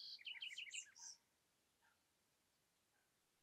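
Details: Southern house wren singing in Amapá, Brazil: one brief burst of rapid, jumbled, high twittering notes lasting about a second, rising and falling, followed by near silence with a couple of faint distant notes.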